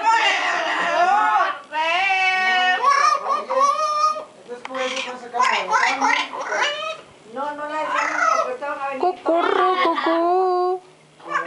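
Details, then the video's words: A pet parrot sings at home, imitating human song with wavering, harmonic-rich phrases and warbling pitch glides, broken by brief pauses; people laugh nearby. "LORO CANTANDO EN CASA"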